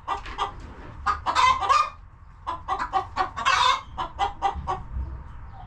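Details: Chickens clucking in their coop on a farm homestead, overlapping short clucks in quick runs, with two louder harsh squawking bursts around one and a half and three and a half seconds.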